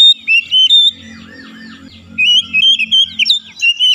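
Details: Oriental magpie-robin singing in a therapy recording meant to prompt quick singing: clear whistled notes and warbles, with a softer murmur of lower twittering and faint low hum in the middle.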